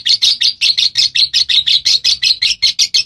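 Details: Lovebird in a long, steady run of bright, high chirps. Each note is a sharp, clipped burst, and they come about three per second in an even, unbroken series.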